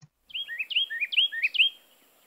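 A Carolina Wren sings a loud, rolling run of repeated whistled phrases, about four quick 'tea-kettle' notes in under two seconds, with no other sounds.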